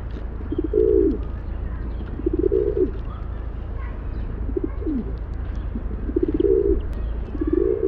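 Rock pigeon gives low, throaty rolling coos, repeated roughly every two seconds, over a steady low background rumble.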